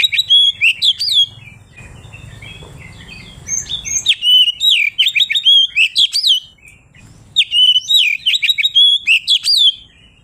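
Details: Kacer, the Oriental magpie-robin, in full loud song used to challenge rivals: rapid runs of sharp whistled notes and chirps, brief soft gaps, then dense twittering phrases return, with faint low background hum.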